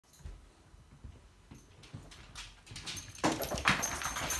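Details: A pet African grey parrot indoors gives her harsh, raspy jungle screech and growl, alarmed at a cairn terrier entering her room in an ugly Christmas sweater, after soft thumps and shuffling.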